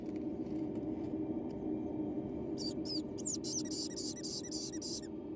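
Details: Newly hatched White-bellied caique chick, born in captivity at a parrot nursery around 3 a.m. on the 26th, calling lively: a quick run of high, thin peeps repeated rapidly over about two seconds above a steady low room hum.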